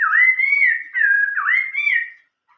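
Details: Chinese hwamei in 'giọng rừng già' style, old-forest voice song: a smooth chain of rising and falling whistled slurs, loud and clear, fading to silence at the end.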